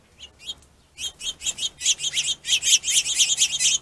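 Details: Finches fighting over a plentiful food source, territorial aggression; a few sharp chirps, then a fast, steadily louder run of high buzzy chirps repeated about twice per second.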